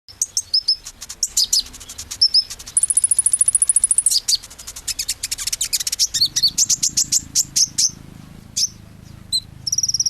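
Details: Small sunbird, called kolibri Ninja, singing sweetly: rapid very high-pitched ticking notes in long fast series, a sustained thin whistle, and sharp repeated chips, continuous throughout with a low hum underneath.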